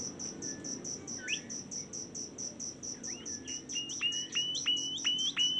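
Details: Bimoli giving a series of short rising whistled notes that grow louder and faster, each hooking upward, over a steady pulsing insect chorus.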